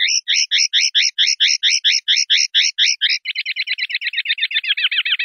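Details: Common linnet clean-style song (pardillo limpio) from a 2019/2020 recording: a steady run of rhythmic chirped notes that shifts into a faster, tighter trill which slowly drops, with nothing else audible.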